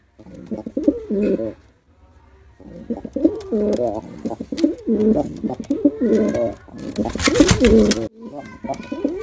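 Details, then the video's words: Male pigeon in a performance display, repeatedly cooing in deep, burbling bursts separated by brief pauses, with a loud broadband rustle or flap late in the sequence. "Male Pigeon Super Performance || Male Pigeon Sound"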